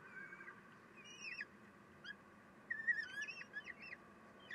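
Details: Common kestrel nest where a female feeds her chicks, 3 June 2021 at 9:12; wavering, slightly rising thin calls with bends, in short bursts, over a steady background hum.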